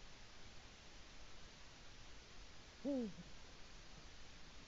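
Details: Single low, downward-bending hoot from a male Eurasian eagle-owl calling for his mate at the nest, Latvia, 5 March 2018 around dawn, recorded by a live nest camera; otherwise only faint background noise.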